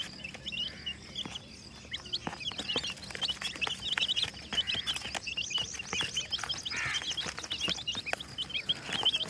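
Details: Many brightly colored chicks cheeping together, a dense stream of thin, high, upward-bent peeps, some louder near the end, over steady faint background noise and occasional knocking taps.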